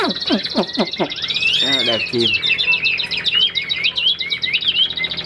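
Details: A man's voice briefly at the start, then a caged Chinese hwamei of the tam hoàng type launches into rich, rapid whistled song with looping, twisting notes that keep changing.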